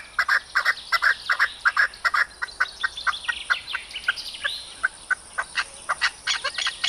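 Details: Maskati chakor, an Arabian partridge, uttering quick sequences of short clucking and chirping notes, faster and more irregular than a steady cadence, with some overlapping higher squeaky sounds and a constant faint hiss.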